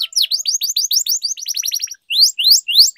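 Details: Canary tutor song with long rolling phrases, used to prompt a silent bird to sing: quick repeated downslurred chirps about five per second, a brief gap, then slower rising sweeps.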